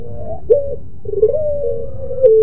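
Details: Barbary dove of the pelung type with a melodious, moaning coo: a brief two-part opening note, a pause, then a long smooth drawn-out tone sliding slightly downward at the end.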